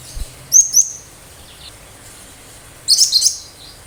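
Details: Cinereous tit in full 'tembakan tajam' song, sharp shots that get other birds answering; two high flicked whistles, a pause, then a loud shrill trilled burst of densely packed chips.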